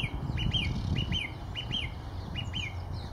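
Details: A song thrush singing at Kensington Gardens on 4 January 2019 repeats a bright, paired chirping phrase four times, about every three-quarters of a second, over a steady low rumble of distant traffic.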